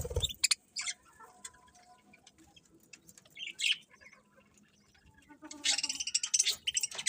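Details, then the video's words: Birds in the morning give scattered sharp chirps and brief squeaks separated by quiet gaps, ending in a louder, denser burst of high twittering. "Cute Birds Chirping Sounds In The Morning"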